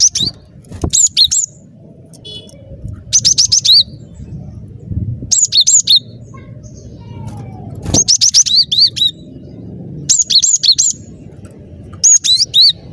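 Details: Cinereous tit singing energetically, repeating brisk phrases of high, piercing, bouncy two-part notes, several notes per burst with short gaps between, over steady low-pitched background noise.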